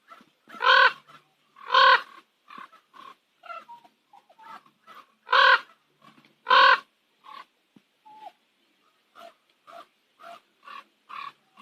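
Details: Common ravens at sunset on Nose Hill, Calgary: two pairs of loud, rasping croaks several seconds apart, with many softer, shorter call notes in between.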